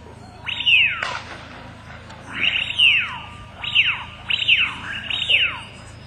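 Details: At daybreak on a tidal marsh as the tide rises, swirling and gurgling into the gutters, several distant Eurasian wigeon give clear whistled calls that rise then slur downward, five or six in quick succession.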